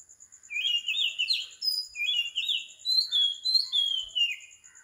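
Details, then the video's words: Oriental magpie-robin singing at 4 am in Sri Lanka. Repeated rippling, rising-and-falling warbled phrases alternate with clear high whistles sliding downward, about three phrases every two seconds. A steady pulsing high tone runs underneath. "Morning Bird Song 4 Meditation Relaxation insomnia Magpie Robin Singing"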